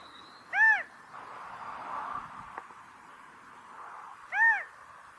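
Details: Mating calls of a California quail, two strong arched notes rising then falling, spaced nearly four seconds apart, separated by a soft hissing background.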